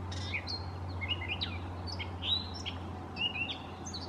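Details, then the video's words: Mimicking gray catbird song, like a mockingbird's: a rapid string of assorted chirps, upslurred whistles and scratchy notes in quick succession, with a steady low hum throughout. "Gray Catbird Song"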